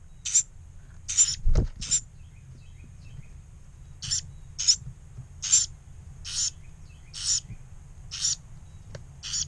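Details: Carolina wren nestlings, two left of four, in a pump-house nest on May 1, 2018, shortly after mealworms were placed nearby; sharp, high, rasping bursts in regular series, one brief thump early on, low background hum.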